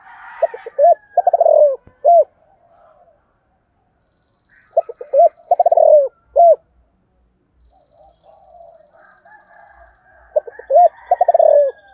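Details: Spotted dove giving its morning call in the 'giọng thổ' style, calling to lure wild doves: three cooing phrases about five seconds apart, each opening with stuttered notes, then a long falling coo and a short final coo. Faint chirps between.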